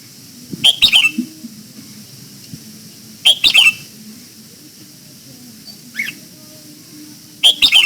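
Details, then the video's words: Red-whiskered bulbul's morning song during voice training, in the old-forest double-note style. Four quick, bright whistled phrases arrive every two to three seconds, each a rapid cluster of notes, over a quiet background. "Luyện giọng cho chào mào hót sáng, ép chào mào hót âm kép già rừng hay tuyệt!"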